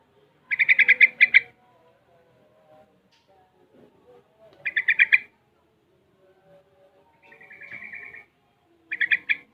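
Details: Young yellow-vented bulbul, six months old, learning ropel and garuda sounds: repeated bursts of fast bubbly chattering notes, with a softer sustained buzzy phrase between them and quiet gaps.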